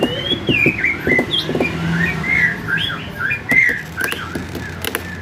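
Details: Home-kept male white-rumped shama delivering a varied warbling song of clear whistles that slide down and up, mixed with short chips and sharp clicking knocks, over a low background hum.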